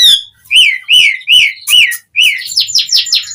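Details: Asian pied starling song meant to coax other starlings into singing: a run of loud arched whistles about twice a second, then a burst of high, scratchy chatter.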